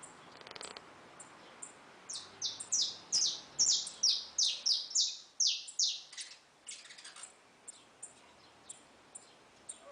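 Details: Belgian canary singing a run of loud, sharp, downslurred high notes repeated about twice a second, building then fading into softer scattered chirps, in a quiet indoor setting.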